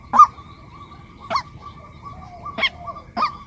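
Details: Female white-breasted waterhen giving four scattered, short nasal notes at uneven intervals, softer and sparser than a steady series, with low background hum.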